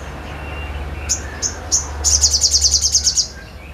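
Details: Sogon in lively song: three separate high sharp notes, then a rapid burst of roughly eleven piercing chips at even pace, over a steady low hum.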